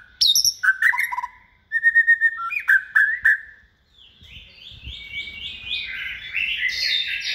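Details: Multi-voiced caged white-rumped shama, second season and hand-reared for singing contests, gives crisp piercing notes and a clipped repeated phrase, then softer stepped whistles climbing higher and higher.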